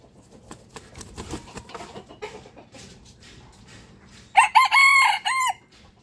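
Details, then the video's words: Rooster crowing in the morning: after several seconds of low scratching and soft clucking, a loud, harsh crow bursts out in three or four strained, arching syllables, then stops abruptly. "rooster crowing sound effect"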